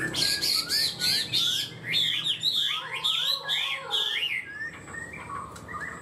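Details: Caged Chinese hwamei singing high and strong in the 'cao cầu' style: a burst of loud, fast, zigzagging whistles and trills, fading into quieter scattered notes near the end.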